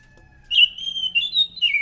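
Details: Orange-headed thrush singing as a lure for other thrushes, a brief loud run of high whistled notes, sustained and then dipping at the end.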